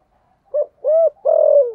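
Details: Spotted dove decoy singing thúc gù coos: a short soft note, a rounded coo, then a long steady hooting coo that falls at its end, all low and hollow.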